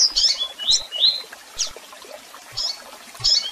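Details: Double-collared seedeater with tui-tui song, chirps and calls: a brief run of high, sharp chirps and slurred notes in quick succession, then a few isolated chirps.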